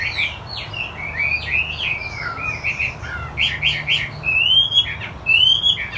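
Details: Wambi putih Chinese hwamei singing gacor: varied whistled phrases, short slurred chirps early, then longer clear rising-and-falling whistles toward the end, over a steady low hum.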